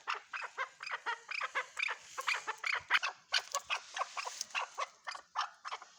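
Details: Chukar partridge repeating clipped, harsh chuk notes in an even rapid rhythm, with a faint hiss in the background.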